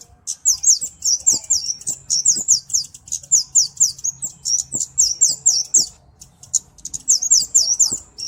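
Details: Kemade flowerpecker, called cabe-cabean, pours out sharp, very high twittering notes in tight repeated clusters with brief gaps, over a soft low hum.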